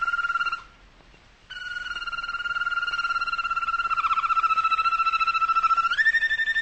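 A Malinois canary sings long, low, bell-like rolling tours that pulse rapidly on a steady pitch.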